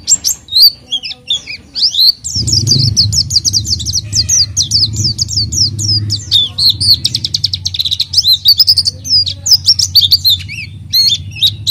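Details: Lure song of an oriental white-eye: a long, busy stream of high twittering notes and rapid trills, with a low mechanical hum underneath for several seconds midway.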